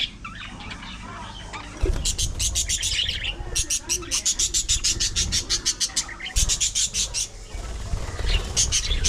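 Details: Colony of pet budgerigars in an aviary: bursts of rapid, clicking chirps and chatter in quick series, overlapping warbles, with thumps and handling noise in the background.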